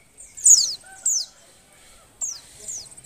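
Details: Oriental white-eye female in breeding condition, used to prompt lazy males into song; sharp high descending chirps in two short clusters separated by a pause, clean background.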